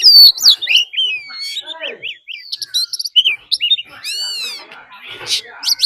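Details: Oriental magpie-robin decoy bird giving fighting song mixed with a wild female's call: loud varied whistled phrases, sliding notes and a fast run of arched rising-falling notes, with rapid, irregular bursts throughout.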